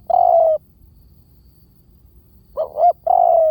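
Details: Spotted dove, decoy call: a long soft descending coo, a gap of two seconds, then two quick rising hoots and another extended mellow coo, clear and close.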